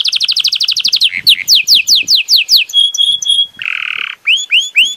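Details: Belgian canary singing: a fast run of repeated high notes, then sweeping downward slurs, a few steady whistles, a harsh buzzy burst and rising upturned chirps, all loud and close.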